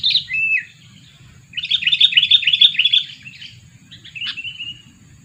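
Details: Two-year-old sooty-headed bulbul kept as a lure for catching birds: an opening sliding whistle, then a quick chattering run of bubbly notes, and a final short slurred whistle after a gap, over a quiet low hum.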